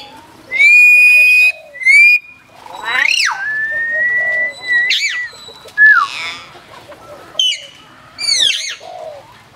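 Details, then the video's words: ['Cambodian zoo hill myna at Phnom Tamao, said to talk, gives loud, clear whistles. A long steady tone is followed by a swooping note and a drawn-out level whistle, then several short bent, voice-like phrases with brief gaps.'] "សារិកាកែវ វង ចេះនិយាយ នៅឧទ្យានសួនសត្វភ្នំតាម៉ៅ | Hill Myna can speak in Phnom Tamao Zoo"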